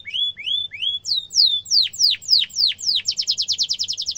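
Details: Canary rolling song for young canaries to learn: rising whistles, loud slow descending sweeps about three per second, then a fast, even high trill.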